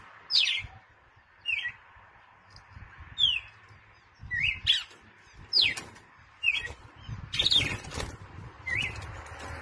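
Red-crested Cardinal singing short, clear slurred whistles, each note sweeping quickly, repeated roughly once a second, over a soft background hiss.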